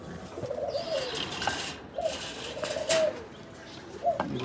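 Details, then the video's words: Cooing from Nabta pigeons with young: several arched, rising-then-falling coos spaced a second or two apart, with wing flaps or rustling bursts between them. "আলহামদুলিল্লাহ অবশেষে আমরা আমাদের নাবতা কবুতরের বাচ্চা পেলাম"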